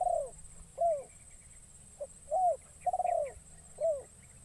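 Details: Decoy spotted dove calling in forest to attract wild doves; the young trained bird is out for the first time. Mellow arched coos alternate with a longer trilled coo in repeating phrases. A constant high-pitched hum runs underneath.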